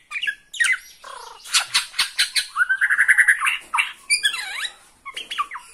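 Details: Bornean white-rumped shama in an agitated display toward a rival: a varied, fast medley of sharp notes, a rapid trilled run, and swooping whistles that fall and rise.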